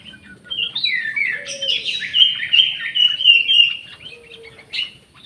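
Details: Orange-headed thrush in an aviary, recorded alongside jali birds: a loud, continuous warbling song of fluid whistled and slurred phrases, rising and falling in quick succession for about five seconds, with a faint low hum beneath.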